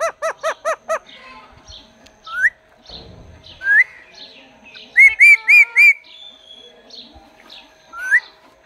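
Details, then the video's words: A pet talking parrot: five quick harmonic-rich notes open, followed by rising whistled swoops, four rapid bright whistled notes in a row, and another upward whistle, with quiet gaps and a soft rustle between. "Ye hai Mithu Mobile ka naya comedy video"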